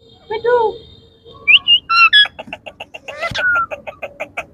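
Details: Indian ringneck parakeet pet talking in a room. A buzzy harmonic phrase leads into quick rising whistles. It ends in a rapid train of short clicking pulses with a held whistled note over them.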